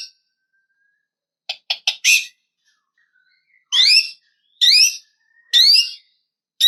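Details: White-rumped shama singing to provoke a rival: a quick series of clipped ticking notes, then loud rising slurred whistles repeated about once a second with pauses between.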